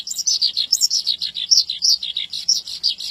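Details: Javan bush lark singing vigorously, a continuous stream of quick high chirps and short buzzy notes, some rising to sharp peaks, several notes each half second with no pause.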